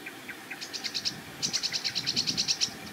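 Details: Sedge warbler singing from a treetop at the edge of a marsh with a reedbed: a few scattered chips, then fast runs of high, scratchy repeated notes, about eight a second, building into a chattering stream. Faint background hiss.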